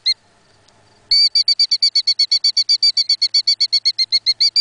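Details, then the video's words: Mother Killdeer defending her nest, wings flaring, gives a loud, rapid, shrill series of high piping notes, several per second, in an urgent unbroken string after a brief opening note. "Killdeer Defense Calls"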